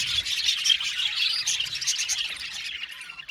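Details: Aviary flock of Australian budgies singing, a steady wash of bright, rapid chirps and twittering notes that fades slightly toward the end.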